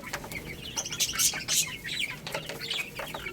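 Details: Little chicks feeding on rice: several sharp, high chirps, some sliding downward, scattered among soft tapping and pecking clicks.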